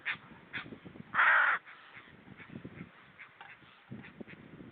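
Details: At 06:40 on 28 August 2013, near seals, a hooded crow gives a single loud, harsh, rasping caw lasting about half a second, over a low background rumble of wind or surf.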